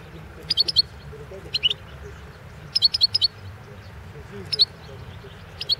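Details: Balkan goldfinch, Carduelis carduelis balcanica, recorded as a 2016 world championship song entry. Irregular bursts of two to four ringing, metallic chirps sound against a soft low-pitched background hum.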